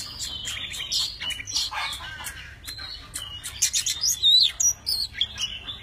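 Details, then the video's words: Tame Oriental magpie-robin singing while dancing with wings spread and tail fanned: a rich, varied, many-voiced run of clear whistles, chirps and sweet trills, changing phrases rapidly and fluidly. "Chim chích chòe than thuần, hót múa cực hay"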